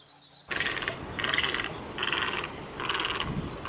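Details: Great white egret calling: four harsh, raspy, buzzing croaks about half a second long, repeated roughly every 0.8 seconds after a quiet start, with faint outdoor background noise.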